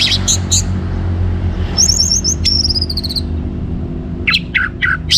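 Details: Orange-headed thrush singing energetically, used to spur other birds into song; scattered sharp high notes, then a run of quick repeated whistled notes and a descending trill, ending in short high chips over a steady low hum.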